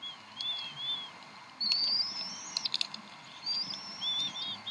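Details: Mother bald eagle feeding three eaglets at the Decorah nest, 7:50 pm CDT on 26 April 2012: soft wavy whistles, then two long thin rising whistled calls broken by a few clicks.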